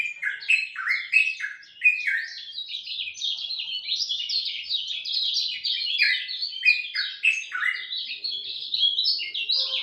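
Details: Lemon-bellied white-eye in dawn song: nearly ten seconds of energetic, rapid warbling, with lower dipping notes early on and then a steady, high, chattering flow.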